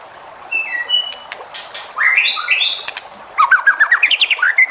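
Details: White-rumped shama song meant to provoke other shamas into singing: thin high whistles, then a rich burst of slurred whistled phrases followed by a fast run of rapidly repeated rising notes, with sharp clicks between phrases.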